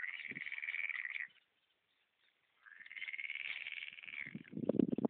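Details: Whiskered tern (Chlidonias hybrida) at Polder Zarnekow/Upost near the Peene, Mecklenburg-Vorpommern, 2 June 2011, giving harsh, grating rasps: two drawn-out buzzy bursts separated by a pause, with low thumping near the end.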